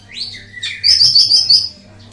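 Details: Ashy tailorbird song, used as a master recording: a rising whistled note leads into a falling slur, then a rapid burst of five sharp, high, ticking notes, with a low steady hum underneath.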